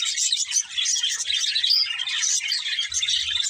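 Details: A pair of budgerigars in lively chirping, with a busy mix of high squeaky notes, clicks and warbled phrases that flow continuously. Faint low knocks near the end.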